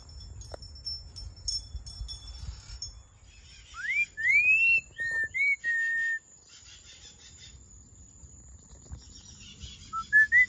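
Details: A hand-reared pet red-fan (hawk-headed) parrot (Deroptyus accipitrinus) whistles a quick run of clear rising and level notes, then pauses and adds a few more at the end; a faint high electronic tone runs underneath.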